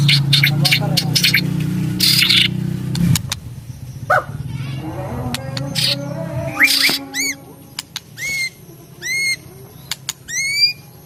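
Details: White-rumped shama song, after opening seconds of loud noise and clatter: short, curving whistled notes sweeping down and up, with rich overtones, repeated about once a second with brief gaps.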